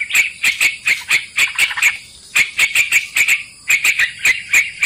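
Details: Lure recording of sooty-headed bulbul (trucukan) used to trap birds: bursts of sharp, scratchy notes in short runs, a brief pause near the middle, then more bright repeated chips.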